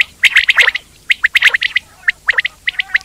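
A quail gives quick bursts of sharp, high chirps, several notes run together, with short pauses between bursts.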